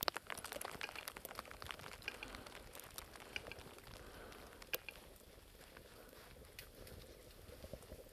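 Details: Western capercaillie winter-to-spring song in early March 2011 in the Cerkno region, Slovenia: a run of dry, knocking clicks, a sharp cork-like pop, then a soft scraping, hissing phrase over faint background rustle.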